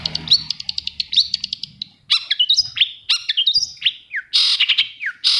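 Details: Long-tailed shrike song played to stimulate silent shrikes to sing: a busy, varied medley of rapid high ticks, whistled slurs and squeaky phrases, with harsh buzzy bursts near the end.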